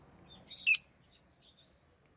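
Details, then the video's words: Pet rosy-faced lovebirds, orange-faced green and red-headed green colour forms, give one sharp, shrill high chirp amid a few softer squeaky notes before and after, otherwise quiet. "Rosy Faced Lovebird Chirping Sounds"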